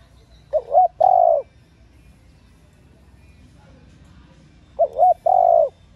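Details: Spotted dove hen calling to stimulate cock birds, repeating the same phrase twice about four seconds apart: quick double wavering notes then a long mellow coo, quiet gap between.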